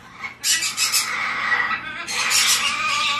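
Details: Hand-tame white-bellied parrot chick producing a long continuous harsh screeching squawk with a brief dip midway, then resuming loudly.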